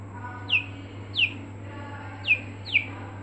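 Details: Aseel chicks in a brooder peeping: four clear, high, downward-slurred peeps spaced irregularly over a steady low electrical hum.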